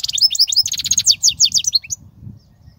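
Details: European goldfinch singing, used for training young goldfinches: a quick cascade of sweet, tinkling chirps and rolling trills lasting about two seconds, then fading to quiet.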